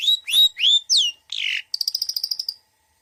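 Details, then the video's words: Long-tailed shrike in full 'isian' song, starting with clear rising whistles and a downslurred note, then a harsh buzz, then a fast even trill of about a dozen high chips. "Suara Cendet Campuran Isian Full"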